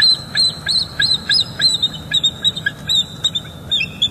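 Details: Bald eagle pair calling during morning mating at their northeast Florida nest, 27 December 2021, while incubating: rapid, steady string of high, thin squealing chirps, roughly three per second, continuing throughout.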